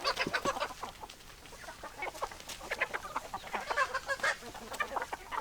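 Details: Many hens cluck at once, producing a continuous, jumbled chatter of short clipped notes and occasional louder bursts, with no single bird standing out.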